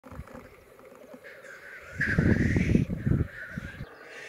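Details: Black grouse at a lek in 2022: a low, rapid bubbling burst lasting about a second, with a faint hissing rise above it, set against a quiet rural background.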